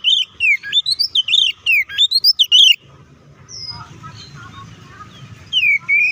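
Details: White-rumped shama song meant to rile other shamas: rapid loud whistled phrases for under three seconds, then a stretch of low rumbling background noise before a last whistled note.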